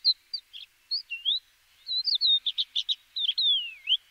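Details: Crested lark song recorded in Córdoba: liquid whistled notes sliding up and down, mixed with short burry clicks in a quick burst, then a long falling slurred whistle; clean, with no other sounds.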